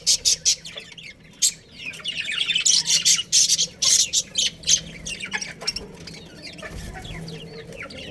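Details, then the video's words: A breeding pair of budgerigars in a colony: rapid loud chirps and squawks for five seconds, then quieter twittering and warbling from the colony. "Cute Budgies Chirping Sounds"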